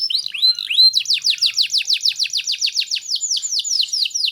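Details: Canary tutor song for young canaries: a few looping whistles followed by a rhythmic series of sharp falling chirps, about four per second, bright and clean.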